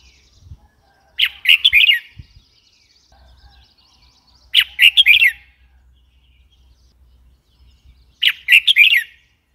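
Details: Red-whiskered bulbul uttering three bouncy phrases of rapid chirped notes, repeated about every three and a half seconds, with faint low background noise.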